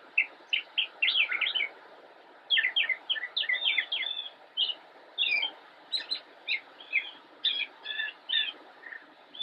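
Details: Immature Northern mockingbird, North Carolina, October 10, 2016, singing from a bush: rapid clusters of sharp chips, then a series of separate high, varied notes spaced about half a second apart.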